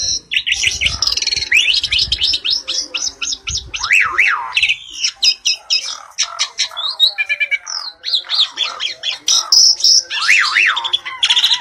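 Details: Pair of Asian pied starlings in vigorous, varied song: dense run of bright chirps, sharp up-down whistled slurs and rapid tweeting notes, with repeated zigzag rising-falling whistles, continuous throughout with brief gaps.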